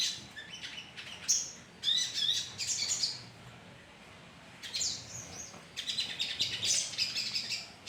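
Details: Sogon birds in a colony, calling to lure: clustered bursts of sharp high chirps and twitters, with a quieter pause in the middle before chattering resumes.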